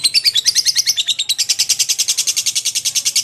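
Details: Lovebird singing vigorously, used as a model for magpie-robins to copy: fast, evenly spaced high chirps in a steady run, a brief change of note partway, then dense repeated chattering to the end.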